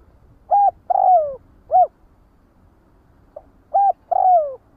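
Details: Spotted dove calling the flock: mellow cooing phrase of a short note, a longer falling coo and a short closing note, given twice with a pause between.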